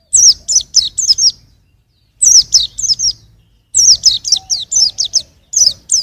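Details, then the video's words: Young white-eye in 2021 uttering quick phrases of piercing, high down-slurred chirps, three bursts with short gaps, loud and clear. "suara burung pleci masih muda"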